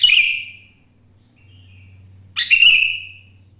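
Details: Sooty-headed bulbul in morning song, used to coax other bulbuls into singing: two rich, slurred whistled phrases with a quiet warble between, over a low steady hum.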